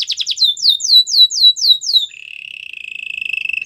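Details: Canary training song: a burst of fast notes and descending whistled slurs, then an even, buzzing trill held to the end.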